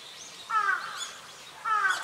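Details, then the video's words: Brown-eared Bulbul calling in Hourai Park, Ota City, Tokyo: two harsh, shrill, buzzy calls about a second apart, rising out of a steady outdoor background hiss. "ヒヨドリHypsipetes amaurotis↩Most bird calls are this bird"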